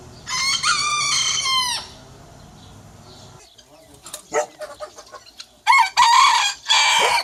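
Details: Rooster, one of several breeds, gives a loud harmonic crow of about one and a half seconds, then soft clucking and clicks, followed by two more strong crow bursts near the end.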